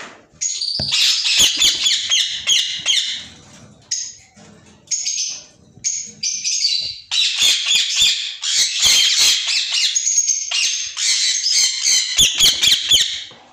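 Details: A pair of white ringneck parakeets give harsh, high squawks and chattering screeches in rapid bursts, several per second, with brief pauses and some clicking knocks in between.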